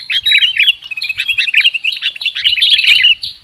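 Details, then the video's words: Sooty-headed bulbul call used as a lure for bird trapping: busy, rapid high-pitched twittering and chirping in an unbroken excited stream, fading briefly near the end. "Suara PIKAT Burung KUTILANG"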